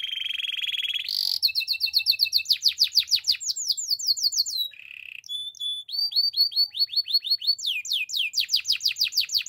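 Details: Training song of a canary: a buzzy roll, a sudden high burst, then series of fast descending whistled notes, a short low rattle, and more rapid chopped phrases and repeated slurs, varied and loud throughout.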